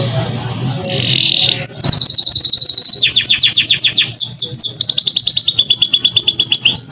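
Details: Canary song used as a lure to set other birds, female or male canaries, singing: after a brief buzzy opening, rapid high trills of short descending notes run on in rolling tours with almost no pause.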